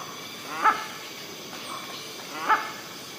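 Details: Hornbill in the forest of Rajaji National Park giving two loud, barking calls with a harsh, harmonic tone, spaced about two seconds apart, over a steady background hiss.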